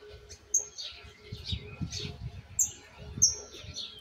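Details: Juvenile Argentine white goldfinch rehearsing its "misisipi" song, foundation set though still imperfect; a few sharp, very high whistled notes about every second, separated by buzzy warbles, with low rumbling noise beneath.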